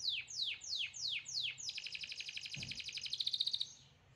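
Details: Canary in song: five sweeping downslurred whistles at a steady beat, then a long rapid rolling trill that grows louder before stopping, with a soft low thump in the middle.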